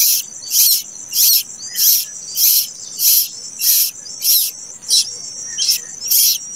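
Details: Plaintive cuckoo chick that hatched late, calling steadily: eleven harsh, breathy bursts in about six seconds at a fairly even pace, with continuous high background hiss.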